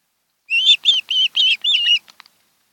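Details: Osprey pair nesting on Kent Island, Maryland, heard via nest camera on a July 2018 afternoon: five clear whistled notes in quick succession, each slightly arched in pitch, fading into a couple of faint clicks.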